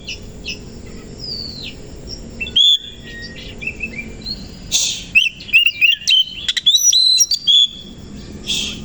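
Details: Oriental magpie-robin in the morning, fanning its tail: clear whistled notes and bursts of rapid twittering and slurred phrases over a steady background hiss.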